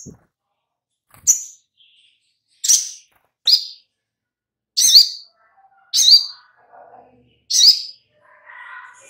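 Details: Little spiderhunter (sogok ontong), a lure recording to make birds sing: six sharp, high, clipped notes spaced one to two seconds apart, with a few faint softer chirps in the gaps and near the end.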